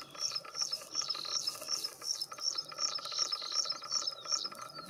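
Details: Graceful prinia in spring during courtship and mating. It sings high, thin, chirping notes repeated steadily about two or three times a second, over a faint constant background hum.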